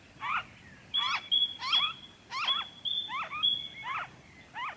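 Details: Noisy friarbird, Victoria, Australia, February 2023: coarse, twanging paired notes spaced about half a second apart, alongside a flat high whistle that runs through most of the stretch.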